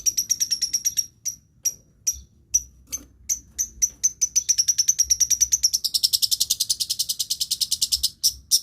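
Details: Long-tailed shrike mimicking other species in a lure song: a long run of quick high ticking notes, accelerating into dense shrill chattering trills, with a steady whistled thread underneath.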